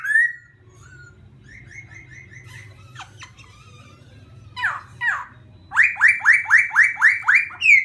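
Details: Song of a laughingthrush meant to rile another bird: scattered whistles and sharp clicks, then a fast series of about eight ringing downslurred notes, roughly four per second, over a low hum.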